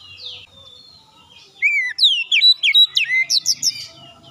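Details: Lure song of an Oriental magpie-robin to trigger singing in other birds: after a quiet start, a quick series of bright, down-slurred whistled notes, then high chirps.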